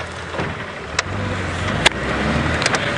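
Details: A vehicle engine rumbles steadily, with a few sharp clicks and knocks and no animal calls.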